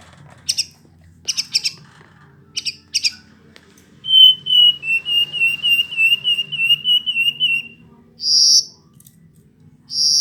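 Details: A Hill blue flycatcher sings. A few crisp clicking chips, then a long sweet run of about a dozen clear whistled notes, each gently falling. Two rich warbled phrases close the sequence.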